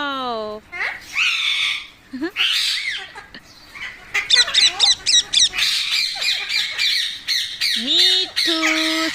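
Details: Pet parrot, kept at home by its owner, giving loud harsh squawks in rapid bursts of sharp rising and falling notes, with a woman's voice speaking at the start and end.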